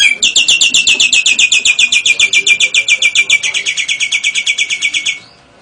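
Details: Common hill myna from Nias singing in a varied style that includes imitations of lovebird and canary: a fast, even trill of harsh, buzzy high notes, about four per second, running steadily for five seconds before stopping.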